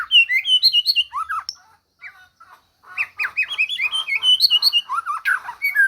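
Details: White-rumped shama song combining varied phrases: rich whistled and chattering notes in quick succession, a brief pause, then a dense burst of mixed whistles and harsh notes.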